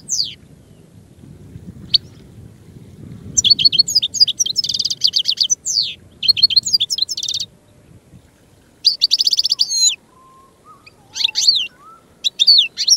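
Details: Goldfinch (Carduelis carduelis) singing a long, varied twittering song of fast liquid trills, buzzy rattles and sharp chirps in repeated bursts separated by short gaps, over a soft low background hum.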